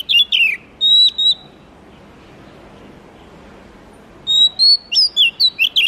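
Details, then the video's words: Oriental magpie-robin (kacer, murai kampung) singing: falling slurred notes and a drawn-out level whistle, a quiet gap of nearly three seconds, then a fast ringing series of whistled notes; faint background hum. "suara murai kampung/ kacer terbaik 2022"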